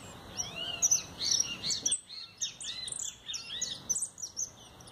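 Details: A household European goldfinch sings in bursts of quick, liquid twittering chirps and high tinkling trills, separated by brief pauses, over a faint background hiss.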